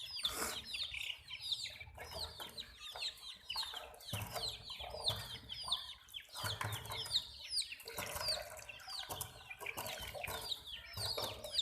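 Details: A crowd of chicken chicks chirping continuously, dense high, falling peeps layered over each other, with intermittent thumps, rustles and low clucking in the background.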